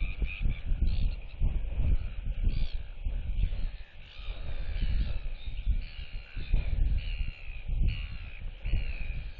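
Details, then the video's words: Young royal albatross performing a display with whistles toward neighbouring chicks, head swinging side to side, 8.7.23; several drawn-out harmonic calls, some sliding, sound over heavy gusting wind. "Royal Albatross ~ NTF Follows SSTrig's Footsteps & Displays & Whistles to UQ & Quarry Chicks!"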